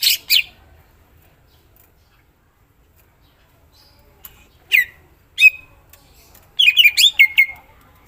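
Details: Greater green leafbird, a cage bird in full song, giving scattered bursts: harsh noisy notes, then a quick run of sharp chattering whistles sliding down, with long silent gaps between phrases.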